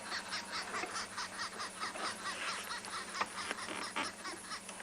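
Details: Several arrow-marked babblers (Turdoides jardineii) call together on an overcast spring afternoon in a South African game reserve, 17 August 2020: a harsh chattering chorus of rapid cackling notes, easily mistaken for green wood hoopoes.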